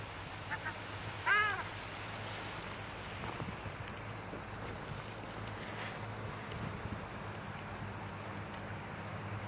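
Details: A single short, nasal honk from a female ruddy shelduck early on, recorded 28 January 2023 at Špica in Ljubljana, then only a steady low hum and faint background noise.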